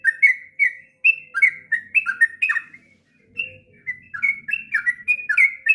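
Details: Sooty-headed bulbul delivering a long training song for young birds, lively bubbling whistles in quick pairs, a short gap midway, then more rapid warbles over faint low background rumble.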